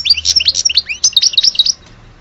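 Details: European goldfinch from Alge delivering a quick phrase of bright, slurred twittering notes for nearly two seconds, then falling silent.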